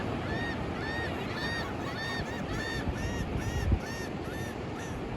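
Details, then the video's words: Gull calling at sunrise on Daytona Beach, Florida, March 14, 2024, mostly sunny with light breeze: a regular series of clear, arched, nasal notes roughly twice a second, set against constant rolling surf. "Seagull sounds"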